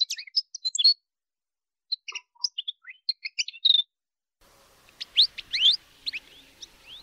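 A male Atlantic canary sings rapid, high chirps and trills with quick rising sweeps, broken by short pauses, over a faint background hiss.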